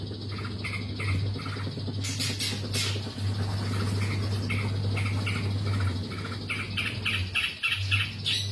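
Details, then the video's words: Long-tailed shrike in lively song, giving quick series of short chattering notes, several per second, broken by louder harsh rasping bursts, against a constant low hum. "BURUNG CENDET GACOR"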